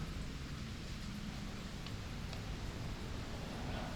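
Steady rain with a low rumble, like distant thunder or traffic, and no animal calls.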